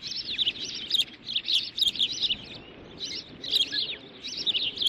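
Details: Nesting ospreys at Dunrovin in June 2013, one dominating another while the mother brings a stick; strings of sharp, high, slurred chirps rise and fall in bursts with brief gaps.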